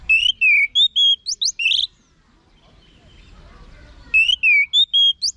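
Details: Song of an orange-headed thrush used as vocal training for home-kept birds. Quick strings of varied whistles and sharp upward-sweeping notes form two bursts separated by a silent gap of about two seconds.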